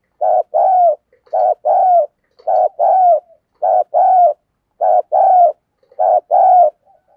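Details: Spotted dove used as a decoy, giving its patterned coo to stir up wild birds. Six clear pairs of mellow coos, each a brief note followed by a drawn-out slurred one, evenly spaced with silent gaps.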